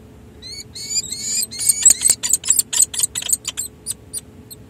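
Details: Peregrine falcons, a pair at San Jose City Hall, during a long pair-bonding session after a full breeding season, 16 July 2024. Thin, whining harmonic notes break into a fast run of harsh repeated chips, about five per second, over a faint steady hum.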